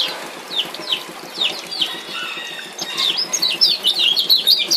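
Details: Male lemon-bellied white-eye of the Lombok voice, played to provoke a silent male: sparse high chirps at first, building to a fast burst of shrill downward-sweeping notes over faint background hiss.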